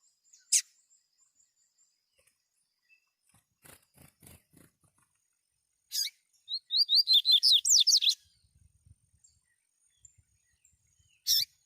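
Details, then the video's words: A wild double-collared seedeater sings loose in nature, captured with a phone among males and females. Sharp clicks and faint ticks lead to a fast, high, twittering phrase of about two seconds, followed by another crisp click. "COLEIRO: PURA FIBRA CANTANDO SOLTO NA NATUREZA"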